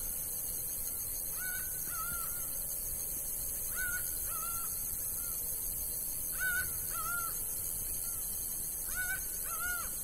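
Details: Laughing falcon song from the sertão of Bahia: a series of about five paired ringing notes, each couplet an arched note then a wavering one, spaced two to three seconds apart, somewhat faint under steady broadband hiss.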